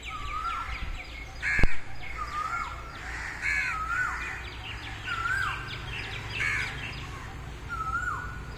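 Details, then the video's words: Early-morning peacocks in an open field give a series of loud, nasal, hooked calls that rise then drop, repeated roughly once a second. Small birds chirp throughout, with one sharp knock near the start. "early morning peacocks in field"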